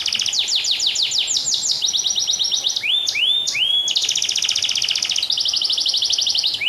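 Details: A canary singing continuously: rapid descending sweeps, buzzy rattling trills, a few rising whistled slurs, then more fast high trills.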